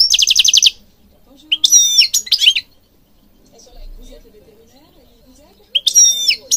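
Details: European goldfinch song from Morocco for training birds: a fast rattling trill, then slurred whistled phrases, a long quiet gap, and a final twittered burst.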